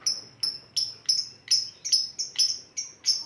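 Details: Lovebird ngetik song, a lure sound: a steady, rapid ticking series of about ten high, thin chirps, roughly three per second, evenly repeated.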